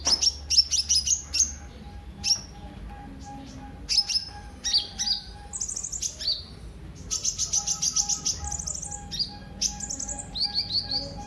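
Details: Sunbird (kolibri ninja) song used as a lure to get other birds singing: bursts of high, thin chirps and quick downslurred notes, often in fast runs, with a steady low whistled tone in the background.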